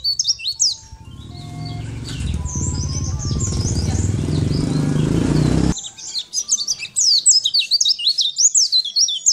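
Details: Sunda white-eye tutor song for training other birds: brief high twittering at the start, a loud low rumbling engine-like noise covering the middle, then rapid, high, slurred chirping resumes clearly for the last few seconds.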